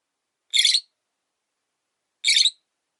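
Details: A caged rosy-faced lovebird, now living alone after its mate died, sounds two strident, buzzy chirps about one and a half seconds apart on its perch.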